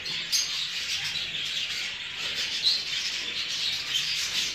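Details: Steady chatter from numerous show jumbo budgerigars kept for breeding, with a crisp chirp early on and layered warbling underneath.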